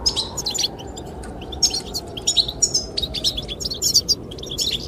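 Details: Goldfinches singing to attract the female: clusters of high, tinkling chirps and quick trills in uneven bursts, over a constant blowing wind with a faint lower hum.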